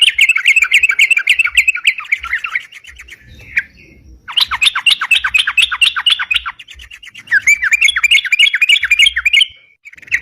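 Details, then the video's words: Sooty-headed bulbul (crucukan) giving lively 'ropalan' chatter, used as a lure: three long bouts of rapid, jumbled chirping and twittering notes separated by short quieter gaps. "suara crucukan gacor bisa buat pikat"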